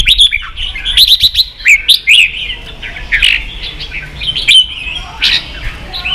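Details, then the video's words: Red-whiskered bulbul, a kept songbird, singing in competition: dense runs of clear chirped and warbled notes, fast rapid clusters alternating with brief gaps. "Chào mào kích đấu căng lửa chơi cực hay"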